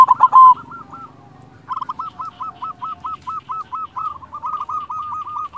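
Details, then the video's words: Zebra dove of silver colour, local stock, singing: a loud opening burst, then a steady chain of soft hooked coo notes repeated roughly every third of a second. "Perkutut silver gacor"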